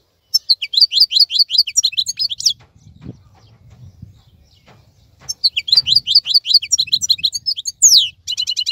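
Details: Singing wild European goldfinch, active while other birds moult in silence: quick high twittering phrases, a short break with soft low background noise, then renewed chirping and a brief rattle.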